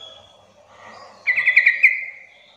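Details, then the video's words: Sooty-headed bulbul call used as a lure to make other bulbuls call back: a loud bubbly burst of four or five quick liquid notes near one pitch, lasting under a second, over faint background birds. "pancingan agar trucukan bahan cepat gacor bunyi Sahut sahutan"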